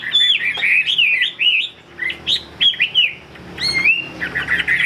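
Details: Chinese hwamei in a cage, sold in Vietnam, delivering loud fluty whistled phrases, swooping and warbling, in bursts separated by brief gaps, with a few sharper high notes.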